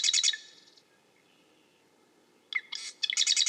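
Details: Marsh wren with a rattling, buzzy trill that trails off, then after a pause sharp ticking introductory notes leading into another fast mechanical rattle.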